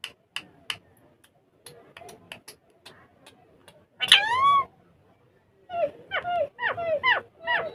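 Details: Rose-ringed parakeets playing on a table and talking in Urdu or Hindi. Faint ticking clicks lead into one loud, long, sliding harmonic utterance. After a pause comes a quick run of five short, rising, speech-like syllables.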